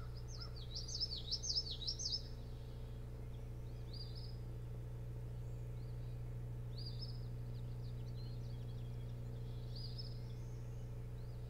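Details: Osprey at the boat-house nest cam on Hog Island near Bremen, Maine, 24 June 2018, between about 01:38 and 02:38 at night: a quick run of sharp, high whistled chirps, loudest at first, then fainter bursts every few seconds over a steady electrical hum.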